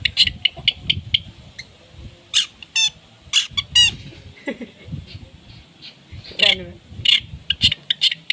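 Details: Long-tailed shrike in energetic 'tembakan' song with 'isian' filler notes, a tutor recording for contest birds: rapid sharp high chips repeated in quick runs, broken by raspy rattling bursts, with faint low rumble beneath.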